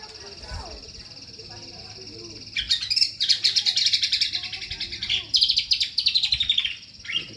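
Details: Kombok song: after a quiet start, a sudden run of rapid, buzzy, high-pitched notes in rippling bursts, pausing briefly and resuming, over a steady thin high tone and low hum.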